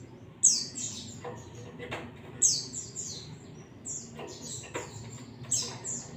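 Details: Ngalas white-eye song used as a lure: bursts of loud, high downslurred whistles about every two seconds, each trailing into softer twitters, with scattered clicks in between.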